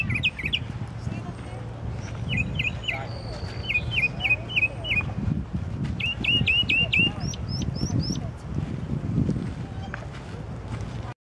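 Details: Songbird of unknown kind singing at night with varied phrases: clusters of short sharp chirps delivered in rapid groups of four or five, one higher series of rising notes, over low rustling noise and a steady hum.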